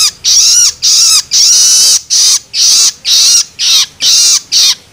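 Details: Young long-tailed shrike giving loloan begging calls meant to stimulate adults: loud, grating, buzzy screeches with falling undertones, evenly spaced at about two per second.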